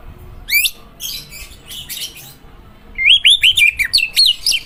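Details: White-rumped shama (murai batu) song: a few scattered harsh notes and one sweeping whistle, then a quick run of bright, looping whistled notes at the end.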